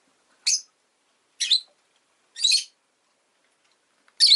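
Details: Pet rosy-faced lovebird chirping: four sharp, scratchy high chirps at roughly one-second intervals, each short and buzzy, against a quiet background.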